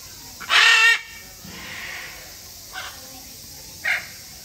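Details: Great green macaw at Chiba Zoological Park, Japan, on 4 September 2022: a single loud, harsh, raspy squawk of about half a second, then two much shorter, softer rough calls, over a steady low background hum.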